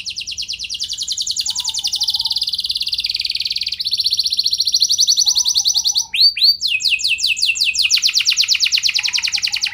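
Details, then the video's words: Canary lure song (pancingan) to set other canaries singing. Continuous buzzy high trills shift tempo midway, then turn into a series of quick sweeping notes. "Burung Kenari Kondisi Apa Saja Bisa langsung Respon Dengan Pancingan Kenari Gacor Satu Ini"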